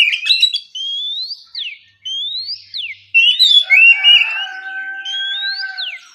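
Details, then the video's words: Oriental magpie-robin giving a relaxed ngeplong song in the morning, intended to make rival birds answer and sing. A clear rising whistle, each ending in a sharp downward slur, repeats about four times, broken by a jumble of twittered notes. "Terapi pagi, suara burung kacer ngeplong santai dijamin bikin kacer lawan lekas bunyi nyaut & gacor!"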